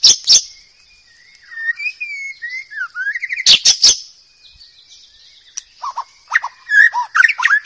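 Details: Forest-dwelling wild white-rumped shama singing: a few sharp notes, then soft wavering whistles and a rising slurred phrase, a loud chattering burst, and scattered whistles toward the end over a high insect drone.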